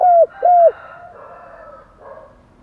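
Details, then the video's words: Spotted dove giving stimulated cooing: two loud, low, even coo notes of about a quarter second each, the second sliding down at its end, followed by fainter, softer cooing murmurs. "cu gáy kích bổi - cu gay kich boi nhanh noi gù"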